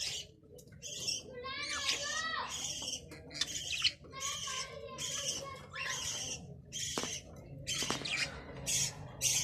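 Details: Budgerigars, called Australian bajri parrots, chattering: a busy run of harsh, buzzy squawks and warbled chirps repeated in quick bursts, with brief clicks and a low background hum.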